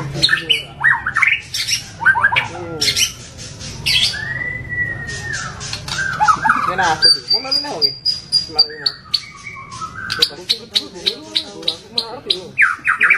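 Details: Showy rough-variation song of a white-rumped shama: loud clipped whistles and harsh notes, a long thin high whistle near the middle, then rapid pulsed chips repeated in quick succession.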